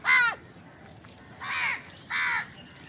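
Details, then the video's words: Three hoarse caws from a house crow at food, the first strongest and sharply arched, the next two flatter and softer. "Crow Bird Eating Scenes | Crow bird crowing sound part 88 | Bird Chirping Sound | Crow ki awaz"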